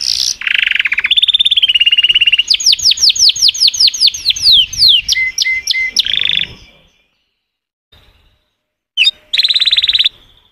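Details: Canary pouring out varied song: buzzy rolls, a steady trill, then a long string of falling whistled notes and flat tones, a silent gap, and one last trill burst.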